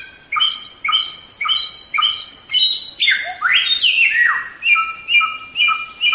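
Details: White-rumped shama song recorded for training songbirds: repeated bright harmonic chips, a loud flurry of sweeping, slurred whistles in the middle, then the even chipping resumes.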